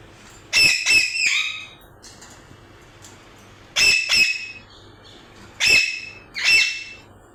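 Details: Paired harsh squawks from a parrot repeated in three bursts a couple of seconds apart, each call raspy and rich in overtones, with quiet pauses between.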